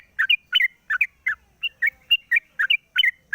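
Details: Caged sooty-headed bulbul singing in the morning, cage cover opened, recorded as a lure: bright two-part chirps, each a short upward flick then a drop, repeated about three times per second.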